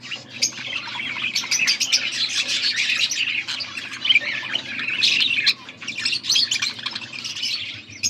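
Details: Budgies, recorded August 14, 2024: nonstop high scratchy chatter and squawks from a group, steady density with a short dip near the middle and louder stretches later.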